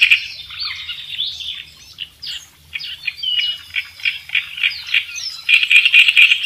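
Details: Kerak besi in full, lively song, kept as a master recording for tutoring songbirds: varied whistled slurs and rising sweeps give way to rapid chattering notes that intensify in the final second.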